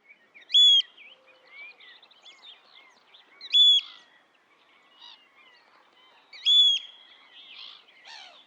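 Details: A wild Eurasian oystercatcher gives three loud, shrill, flat piping calls about every three seconds, with faint chirps of other birds behind.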